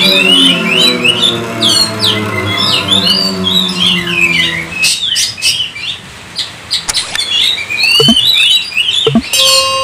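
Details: Oriental magpie-robin in full 'gacor' chattering song, meant to get other kept magpie-robins singing: varied whistles, slurred notes and harsh squawks, with a steady low droning harmonic hum under the first half, then sharper clicks and rasps.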